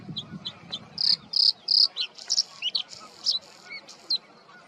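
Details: Territorial male Bluethroat in reed and scrub, with a varied, imitative song. Short high chips open the phrase, then strong ringing trilled notes and quick twisting whistles follow, with gaps between; a faint low murmur sits underneath.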